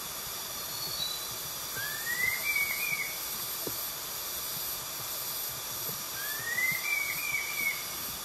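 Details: Red-tailed laughingthrush (Trochalopteron milnei) in Vietnam giving two clear, rising whistled phrases about four seconds apart, against a steady loud hiss.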